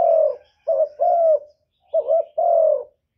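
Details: Captive decoy spotted dove cooing to challenge a wild rival: five soft, low, hollow coos, short notes alternating with longer sustained ones that fade gently, in a quiet setting.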